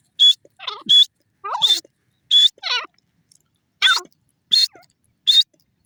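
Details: Teetar, the grey francolin, calls with sharp, piercing high notes that alternate with lower, wavering, slurred notes in an irregular, rhythmic series.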